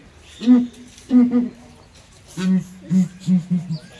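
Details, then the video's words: Southern ground hornbills in a small ARTIS zoo cage trade hollow low booms: two higher notes, then a lower run of about four booms that trails off. "𝐒𝐨𝐮𝐭𝐡𝐞𝐫𝐧 𝐠𝐫𝐨𝐮𝐧𝐝 𝐡𝐨𝐫𝐧𝐛𝐢𝐥𝐥𝐬 𝐣𝐚𝐦𝐦𝐢𝐧𝐠 𝐭𝐨𝐠𝐞𝐭𝐡𝐞𝐫"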